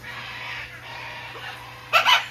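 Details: Pet cockatoo at a bird rescue sanctuary, indoors, playfully teasing a bigger parrot to get its attention; after soft murmured voice sounds come two loud, harsh, rasping squawks in quick succession near the end.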